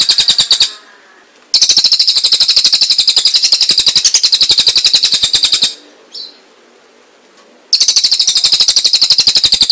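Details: Rapid high-pitched rattle from a cililin, sung in long dense bursts with quiet pauses and a single short chirp between them.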